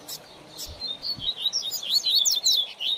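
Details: Coleiro or papa-capim (double-collared seedeater) singing for a young bird's song training: a fast, high twittering run of sliding whistled notes that builds steadily, with a couple of low thumps near the start.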